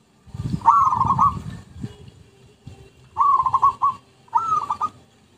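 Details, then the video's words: Zebra dove lure recording: three phrases of rapid, trilled cooing, with low thuds and rumbling noise between the first and second. "MP3 Pikat Merbuk/Perkutut"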